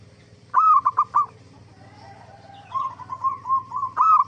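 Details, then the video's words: Zebra dove (perkutut) singing, used to lure other zebra doves into answering: a crisp coo-and-triplet phrase, a pause, then a long, wavering, rolling coo leading into the next phrase. "Suara Burung Perkutut gacor AMPUH pancingan JUARA BURUNG PERKUTUT BIAR NYAUT BUNYI"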